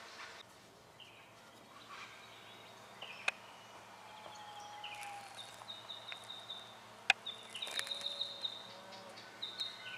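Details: Spotted quail-thrush (Cinclosoma punctatum) in Victoria, Australia, January 2012, gives thin, high drawn-out whistles, some level and some falling, scattered through quiet bushland with a couple of sharp clicks.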